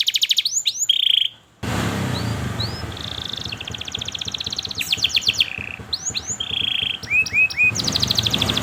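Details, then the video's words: A canary, used as a training song for young canaries learning to sing, gives a long, fast song of high rising chirps, trills and rapid rattling bursts over a low background hum. "KENARI GACOR PANJANG Cuit Cuit EMOSI, Pancingan Kenari Paud Belajar Bunyi"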